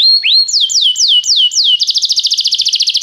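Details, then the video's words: Restless canary singing: a few high slurred whistles sweeping down, then a fast even trill of repeated notes, bright and continuous. "o canário cantava inquieto"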